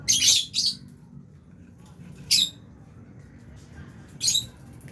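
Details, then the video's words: Albino and Fisher's lovebirds feeding in an aviary make harsh, high, scratchy chirps: a quick pair at the start, then single notes about every two seconds, low hum behind. "Lovebirds Chirping Sounds"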